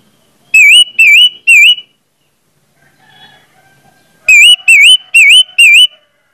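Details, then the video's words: Orange-headed thrush song used as a lure for other thrushes: three then four loud, matching wavering whistles, each bending down and up, with a soft faint sound in the pause. "pancingan anis merah bikin anis merah lain cepat ngeplong"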